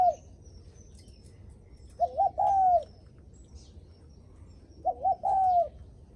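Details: Guest-greeting coo of a spotted dove, said to sound when visitors come: the tail of one phrase, then two full phrases about three seconds apart, each two brief notes and a long falling croon.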